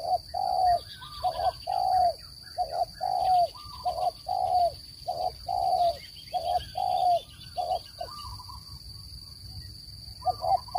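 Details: Spotted dove voice recorded for luring birds into traps: a regular series of low round coos, clipped doubles followed by drawn-out notes, continuing for ten seconds over a steady faint high-pitched hum.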